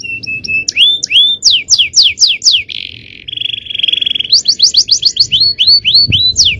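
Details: Male canary singing strongly, cengkok style: flat whistle, then repeated sweeping whistles, a sustained buzzy roll, and more rapid swept notes.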